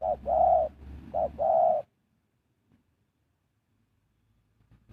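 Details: Spotted dove serving as a decoy for wild birds gives two paired coos, a clipped note then a drawn-out hum each time, before falling silent apart from faint soft clicks.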